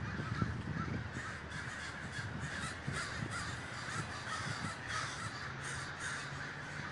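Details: Communal gathering of many crows at Davis, California, heard as a dense chorus of rough, overlapping caws with scattered louder calls, over a low rumble.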